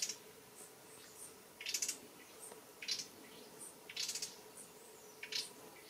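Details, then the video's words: Grey-breasted wood-wrens calling, more heard than seen, in Palo Seco forest reserve on Panama's continental divide: dry, rasping, clicky bursts about one a second, uneven in pace, over a steady low hum. "gray breasted Wood Wrens calling"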